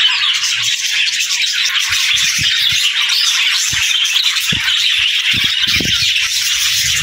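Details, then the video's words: Happy budgerigars chirping in the morning as they greet the day: dense, unbroken warbling chatter of many birds, scratchy and twittering, with a few soft low knocks underneath. "Budgie Morning Sounds: Wake Up to the Beautiful Chirps of Happy Parakeets!"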